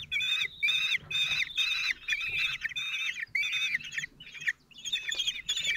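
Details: Feeding time on 26 June 2023 at Théding, where a common kestrel father brings food to his four 16-day-old young. Loud, rasping calls with bright overtones pulse about twice a second, some rising at their ends.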